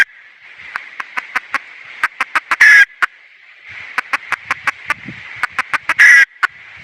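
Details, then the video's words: Red junglefowl hen uttering steady trains of short clucks, each train rising to a loud raspy squawk. This happens twice, over a soft continuous background hiss. "Suab poj qaib qus see zoo heev"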